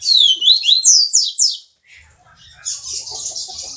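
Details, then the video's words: Double-collared seedeater singing the viviti song type in Jordânia, Minas Gerais: loud, rapid, high downslurred whistles repeated about four per second, then a pause and a dry, buzzy high trill. "Coleiro Som Do Povo-Canto Viviti"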